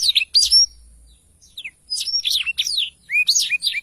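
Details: Songbird tutor recording of a black-throated canary: short bursts of bright, high, downslurred whistles and chips separated by brief silences.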